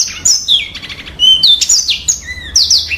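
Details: Crisp, very clear song of a yellow-fronted canary, packed with rapid high chirps and sweet descending whistled slurs, the phrases tumbling into one another without pause.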